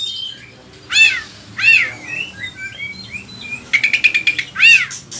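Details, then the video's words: Oriental magpie-robin (kacer) song used to provoke and tutor other kacer; arched swooping whistles repeat about every second, broken by soft twittering and a quick stuttered trill. "Pancingan suara kacer gacor, bongkar isian burung"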